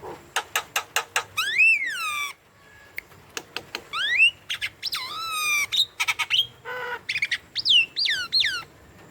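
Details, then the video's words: Javan myna singing actively, used to prompt young or reluctant birds to call: quick harsh clicks, then long clear whistles that rise and fall, mixed with squeaks and chattering bursts. "PANCINGAN JALAK KEBO MALAS BUNYI Jalak kebo gacor"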